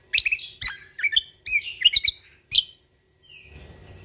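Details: Cucak kombo Lombok, a Sumatran leafbird singing lively natural-style phrases. Varied bright chirps and twisting whistles tumble out in quick bursts, ending with a faint drawn-out whistle and some low background hiss.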